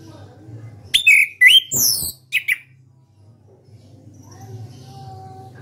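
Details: Orange-headed thrush, caged and a national contest winner, singing ngeplong: two rising whistled phrases with high overtones, a scratchy burst, then a short buzzy note before silence broken only by a low hum.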